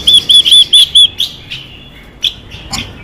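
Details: Female Chinese hwamei singing to excite males: five arched, clear whistled notes in a quick even series, followed by a few faint, scattered notes.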